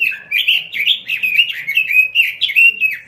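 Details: Robin in vigorous song: a rapid, continuous run of varied warbled and slurred notes, rising and falling in quick succession without pause across three seconds.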